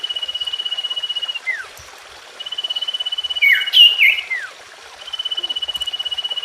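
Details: Common iora song, played to make a silent bird start singing again: long, evenly pulsed high whistles separated by short falling slurs, with a lively, warbling, up-and-down phrase in the middle.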